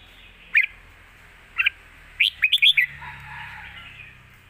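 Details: Caged red-whiskered bulbul singing a forceful 'lak wai' style master song for teaching young birds. Two single whistled notes lead into a fast run of four or five bright chirps, with a soft hum afterward.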